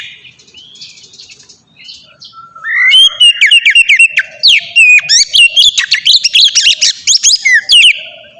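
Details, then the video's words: Ngeplong song from an Oriental magpie-robin, a lure for young captive birds. Quiet, thin notes open the phrase, then a loud rush of rapid chirps, twitters and ringing whistles follows about a third of the way in. "suara burung kacer ngeplong merdu sangat ampuh buat pancingan kacer bahan bikin cepat gacor"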